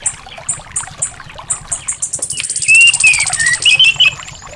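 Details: Anis thrush singing, meant to encourage a reluctant bird. A run of high, evenly spaced chirps leads into louder whistled warbling phrases, all over a faint trickling background.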